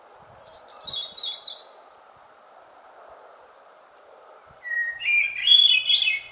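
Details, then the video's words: Hermit Thrush, a shy bird of the understory in far northern forests in summer, singing: a clear pure whistled opening note followed by a fluty, fluttering high phrase, a pause, then a second phrase starting lower and rising, over a steady low hum. "hermit thrush may not be the most colorful of birds but it's certainly one of the best singers there"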